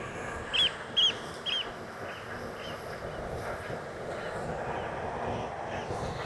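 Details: Eurasian oystercatchers on Orre beach, south-western Norway, around 8:30 pm at about 15°C, attack a hovering drone, giving three loud, shrill piping notes about half a second apart, then fainter calls trailing off, over the drone's steady rushing hum.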